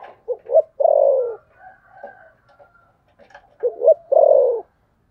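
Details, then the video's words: Spotted dove cooing in the fighting thổ sấm gù style. Two clipped notes lead into a long, mellow, descending coo, and the pattern is repeated once after a pause with soft low notes. "thổ sấm gù/ Cu gù đấu"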